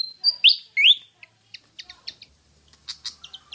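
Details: A kipasan, or Pied fantail, heard on lure audio for prompting birds to sing. Three loud upward-swept whistles open the clip, followed by a scatter of soft, short chips and high ticks.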